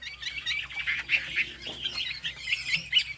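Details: A captive Chinese hwamei, from the Ha Giang highlands, sings a rapid, continuous run of bright, varied notes, whistled phrases mixed with quick chattering trills, high-pitched and without pause.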